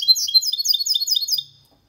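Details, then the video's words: Goldfinch × canary hybrid, sung cleanly for stimulating males and training chicks: a brisk run of repeated bright down-slurred twitters lasting about one and a half seconds, then fading. "Mixto de Jilguero Cantando Limpio 2022 para Estimular"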